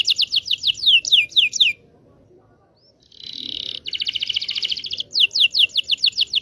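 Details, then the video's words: Local Indonesian canary song played for young canaries learning to sing: rapid sharp descending chirps, a short pause, a dense high rattling trill, then more quick repeated chirps, with low background noise. "PANCINGAN KENARI MACET BUNYI.. PANCINGAN KENARI PAUD BELAJAR BUNYI"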